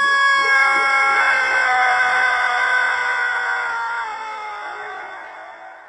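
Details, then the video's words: Pelung rooster giving an unusual long crow, a single sustained harmonic-rich call held for about six seconds, slowly sliding lower and fading at the end. "SUARA AYAM PELUNG ANEH TAPI PANJANG"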